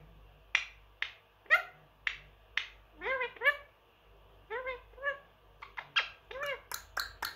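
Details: Indoor pet male Indian ringneck parrot, aged three, mimicking words and sounds. Quick series of sharp clicks and short rising harmonic syllables, about one every half second, alongside a person's kiss sounds and encouragement.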